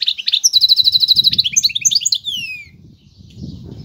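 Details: Goldfinch hybrid (meli or bunduq) sings a quick run of twittering notes into an even, rapid trill, then a few sliding whistles falling in pitch, with soft low rustling behind.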